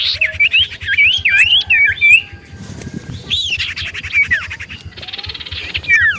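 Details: Common iora in lively, chatty song used as a lure to draw replies from other ioras: clear whistled notes rising and falling, mixed with dry buzzy rattles and a downslurred whistle near the end.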